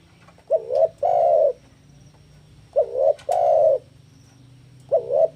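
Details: Challenging a rival while in breeding condition, a spotted dove gives two complete phrases of mellow cooing, a wavering short note then a longer one, and begins a third, over a low background hum.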